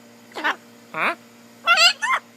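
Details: Blue-and-gold macaw sitting on a person's shoulder, jabbering: four short, rich, voice-like syllables in two pairs, loud and nasal, separated by brief pauses, with a woman chatting to the bird nearby.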